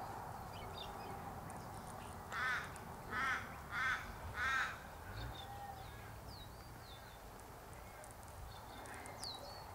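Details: Australian Raven calling in the background while honeyeaters visit a nectar feeder in a cypress tree: four harsh, drawn-out caws about once a second, then thin whistled notes from smaller birds over a steady hiss.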